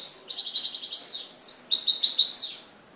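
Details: In Morocco on 4 December 2013, a European goldfinch gives two bright, metallic trilled phrases of fast repeated notes, each ending in a buzzy slurred downward note, with a short pause between them.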